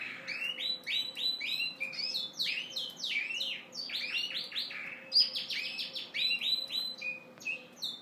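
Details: Male Yorkshire canary singing and dancing to attract a hen during courtship: a rapid stream of bright rolling trills and chopped, repeated syllables, with brief pauses between phrases, over a faint steady low hum.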